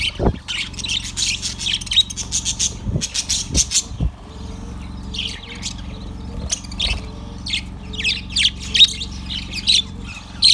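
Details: Yellow budgerigar recorded February 18, 2024, giving bright, high chirps and short warbled notes in uneven bursts, with brief pauses between phrases, over a steady low mechanical hum and a few soft low thumps.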